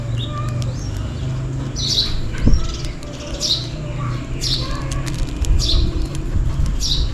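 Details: On a rainy day, sparrows chirp for food with bright, short notes roughly every second, plus a few lower soft calls, all above a constant deep background rumble and clicks.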